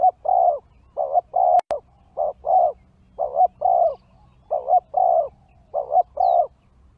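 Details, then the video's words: Spotted dove calling, used to lure wild birds: mellow, low cooing phrases of two or three soft notes each, repeated in about five groups across seven seconds, with brief gaps between, over a quiet background with one sharp click. "Pikat Tekukur Di Hajar Burung Liar"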